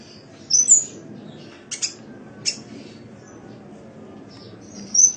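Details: Sunbird song recorded for training cage birds: piercing high tweets, a couple of buzzy, scratchy notes, and long silent gaps between the brief phrases.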